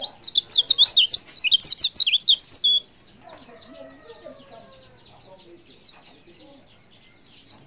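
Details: High-pitched call of a female white-eye intended to provoke males to respond: a dense burst of quick, shrill twittering for nearly three seconds, followed by single sharp chirps spaced a couple of seconds apart.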